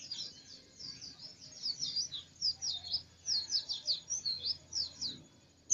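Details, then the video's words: White-eye (pleci) singing insistently: scattered bright, high chirps repeated in loose clusters over five seconds, growing louder toward the end, with a faint low hum underneath. "Pleci ngotot kicau"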